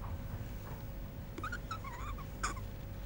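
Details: Hand-reared African grey parrot at Kuwait Zoo in 2010, giving a brief wavering, warbled whistle of several bending notes followed by a sharp click, over steady low rumbling background noise.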